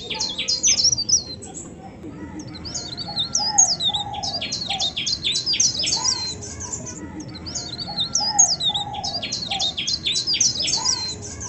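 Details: Melodious song of an Indonesian bird: bursts of quick, high chirps and twittering notes in phrases of a few seconds, with softer low whistles underneath.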